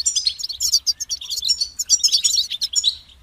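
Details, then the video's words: European goldfinch delivering a continuous, rapid string of bright, tinkling and buzzy high notes, densely repeated for about three seconds before fading with a slurred falling note. "Highlighting motivating songs for creative goldfinches in simple ways"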